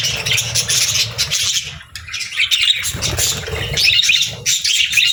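Budgerigars chatter in a busy, continuous stream of high, scratchy chirps and warbles, several birds overlapping, with a low rumble beneath.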